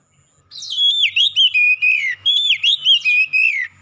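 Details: Black-chested oriental magpie-robin delivering strong song, two near-identical bursts of rich whistles with rising and falling slurs and crisp chirped notes, each about a second and a half, with faint low thumps beneath.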